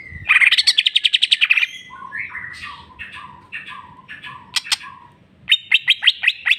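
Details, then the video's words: Greater green leafbird singing a rich song described as full of "jamtrok" and imitations: a loud rapid trill of bright notes, then varied slurred whistles, then a burst of sharp repeated notes near the end. "cucak ijo mewah ful jamtrok bongkar isian"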